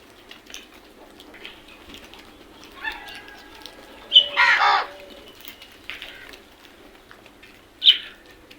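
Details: Crows in a group: faint scattered calls build to one loud, hoarse caw burst midway, followed by a quieter pause and a final sharp caw near the end.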